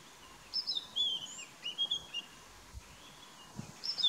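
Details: In Kruger National Park a brown-headed parrot calls while feeding, giving thin high squeaky whistles that slide downward in quick pairs, then a pause and a final shrill burst, over soft background noise.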